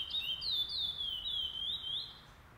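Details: Chestnut-bellied seed finch, a pardo curió, competing in the first stage of a singing tournament on 08/11/2020; clear, high, sweet whistled phrases sliding up and down in smooth linked notes, with little background noise.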